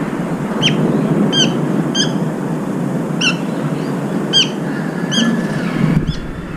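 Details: Brown-eared bulbul at a feeder amid feeding fights among the flock: a series of seven short, sharp high calls spaced under a second apart, against constant rumbling background noise.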